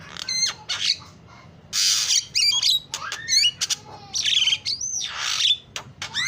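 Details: Lure song of a starling praised for its varied filler notes: short squeaks and clicks alternate with long harsh hissing bursts and slurred falling and rising whistles, with gaps of about half a second.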